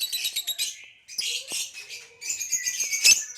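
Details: Green hybrid male Nyasa lovebird chattering in harsh, buzzy high bursts, broken by a short pause, then resuming with scratchy chirps and one loud sharp squeak near the end.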